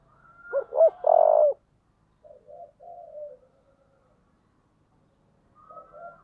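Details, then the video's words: Spotted dove with a 'giọng thổ' voice, urged into fighting, gives a loud phrase of two quick coos and a long, level, throaty note. Quieter, broken coos follow in the otherwise silent background. "cu gáy giọng thổ/ cu gáy thúc đấu"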